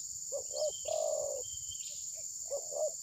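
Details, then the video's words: Spotted dove used to lure rivals in trapping, unwilling to strike and maybe moulting, recorded by phone: paired short throbbing notes, one long rolling coo and another pair, accompanied by a shrill insect hum and a faint high chirp. "Mikat terkukur || pikat tidak mau mukul~ TERKUKUR TABIR"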